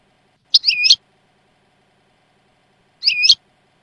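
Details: European goldfinch on a training tape of the Jordanian song style: two short, complex chirping phrases about a third of a second long, separated by two seconds of silence, clean recording.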